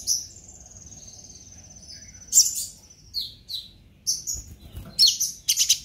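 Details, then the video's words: Purple-throated sunbird singing to stimulate others: a long thin high steady whistle opens, then scattered sharp chips and short twittering bursts, with faint low background hum. "Pancingan KONIN Bahan agar GACOR NGOBRA EMOSI - Purple Throated Sunbird"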